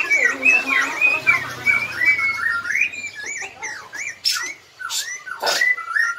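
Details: Black-legged white-rumped shama of Bahorok origin delivering a busy song of warbling whistles and slurred notes, later broken by sharp downward sweeps and loud clicks, with a faint low hum underneath.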